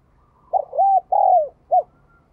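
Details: Spotted dove used as a decoy bird, calling: one short phrase of four hollow, low coos, the two middle notes longer and slightly arched. The background is quiet.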